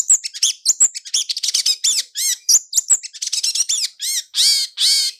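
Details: Lure song of the long-tailed shrike in 'roll speed' and 'roll tembak' styles, full and clear: rapid varied chatter of arched chirps and scratchy notes, finishing with two longer harsh, harmonic squawks.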